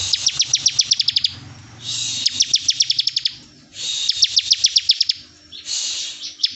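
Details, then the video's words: Bar-winged prinia 'bren' song used as a tutor recording: repeated fast bursts of sharp, high-pitched ticks, each run about a second, rising from a hissing buzz, separated by brief quieter pauses. "CIBLEK BREN"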